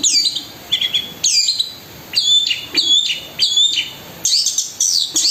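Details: Singing long-tailed shrike, or cendet, giving a 'kasaran and tembakan' style song: clusters of high, sharply falling chirps separated by short pauses, with one clear whistle repeated several times.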